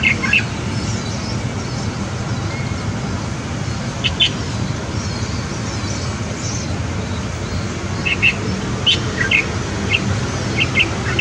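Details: Light-vented bulbul parents feeding two chicks on day nine at a balcony nest. Short bright chirps, some doubled, come in scattered bursts, clustering toward the end. A steady low rumble of traffic noise runs underneath throughout.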